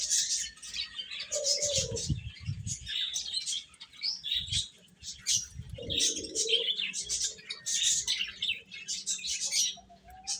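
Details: Little chicks feeding and chirping, a steady chorus of shrill, high peeps from many birds at once, with a couple of lower, drawn-out calls and some soft thumps underneath.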